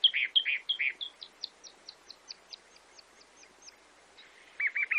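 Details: Chalk-browed mockingbird (Mimus saturninus), song.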